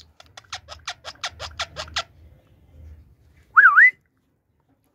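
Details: Talking pet Indian ringneck parakeet, said to speak Urdu and Hindi: a fast run of about ten sharp clicking taps, a pause, then one loud, wavering whistle that dips and rises, with faint room hum.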